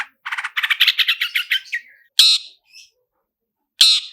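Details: Long-tailed shrike lure song: a rapid, accelerating roll of harsh rattled notes lasting over a second, followed by two separate loud rasping calls.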